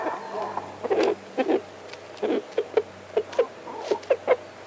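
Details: A rooster gives about ten short, throaty clucks in uneven bursts, a few quick pairs then single notes, over a low hum; owners think this unusual noise tells the hens where food is.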